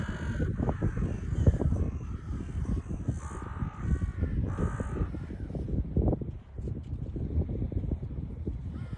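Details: Crows gathering on the Baltic Sea shore at Liepaja Beach, Latvia: a few harsh, hoarse caws rising over a constant roar of wind and surf.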